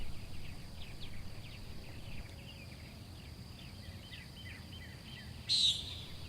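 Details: A single nasal, buzzy peent from a Common Nighthawk near the end, recorded in a yard in the morning. Faint chirping of other birds and a low wind rumble run underneath on a warm, windy day.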